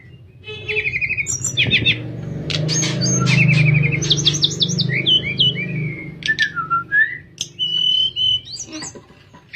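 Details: Masteran recording of a sooty-headed bulbul in flute-like 'nyuling' voice for training other birds: trilled whistle series and looping slurred notes delivered rapidly, with a broad low rumble beneath during the middle part.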